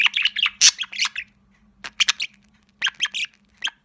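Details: Sociable budgerigar chick kept as a pet, uttering harsh squawky chirps and scratchy chatter in short clusters with gaps between them, over a faint electrical hum.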